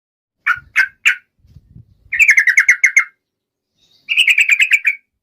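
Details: Yellow-vented bulbul: three separate bubbly notes, then two quick runs of about eight chattering, slightly falling notes each, with a few faint low knocks between.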